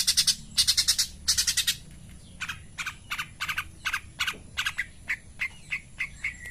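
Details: Morning song of a Long-tailed shrike, called Cendet Pastol: three harsh, hissing bursts, then a run of shorter clipped notes that drop lower and turn into brief sharp chips spaced about a third of a second apart.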